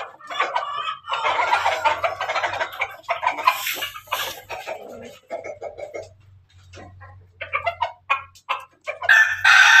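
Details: Pelung and Ketawa chickens crowing together: bursts of rapid, choppy staccato notes in the first seconds, a quieter stretch of scattered syllables, then a loud harmonic crow starting near the end.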